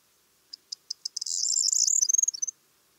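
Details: Corn bunting singing: four or five spaced, sharp ticks accelerating into a shimmering jingle like shaken keys, ending in a stutter of short high notes; nothing else audible.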